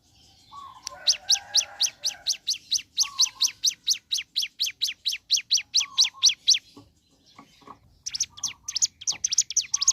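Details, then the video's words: Morning song of a ciblek gunung: a long, rapid string of high, falling chirps, about twenty in a row, broken by short low flat whistles, then a pause and a second quicker burst. "Suara Asli Ciblek Gunung Gacor Pagi Hari"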